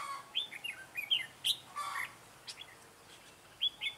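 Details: Red-whiskered bulbul singing as a trap decoy to draw in wild birds, 9 June 2017; a handful of clear, slurred whistles and chirps in short groups, then a pause and two more whistles.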